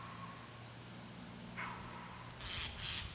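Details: Two harsh, rasping Common snipe calls close together near the end, over a steady low hum with a faint earlier note, at Rozkoš reservoir on 29 August 2015.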